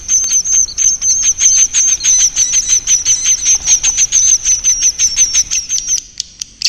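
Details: Swiftlet call of the 'inap' roosting type, meant to lure swiftlets to roost: a clear sustained high whistle over rhythmic chirps, roughly three a second, fading briefly near the end.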